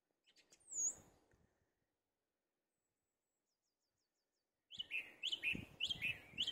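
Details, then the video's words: Song thrush singing from the top of a tree in a UK garden: a single high thin whistle, a pause, then a run of short, sharp repeated phrases in a mid-high register. "Finally got the song thrush on camera"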